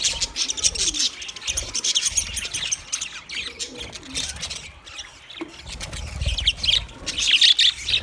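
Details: Budgies chirping, dense high chatter with scratchy notes and a few sharp squeaks, rising into louder bursts near the end.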